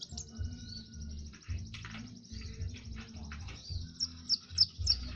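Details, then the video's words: Kowul master song used to train other birds: faint high twitters, then several sharp, bright notes near the end, with a constant low droning hum underneath. "Masteran Burung Kowul"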